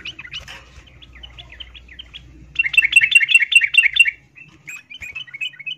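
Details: Female yellow-vented bulbul calling a male while in breeding condition. Soft spaced chirps build into a loud, fast stuttering chatter of about a second and a half, then fall back to scattered single chirps.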